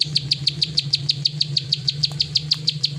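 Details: Plain prinia, known locally as prenjak sawah, in klik ngacor singing: an even, fast series of sharp ticking clicks, roughly six a second, held steady throughout over a low background hum.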